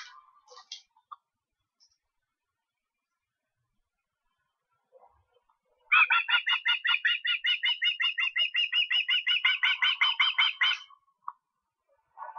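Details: Recorded in Estonia on 23 August: a few scattered faint sounds, a long pause, then an osprey's fast, steady train of piping whistles running for about five seconds before trailing off.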